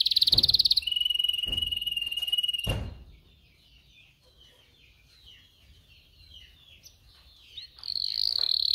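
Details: Canary singing for training young singers: a rapid high trill and a long level whistled roll broken by sharp clicks, then soft faint twittering, and a loud buzzing trill resuming.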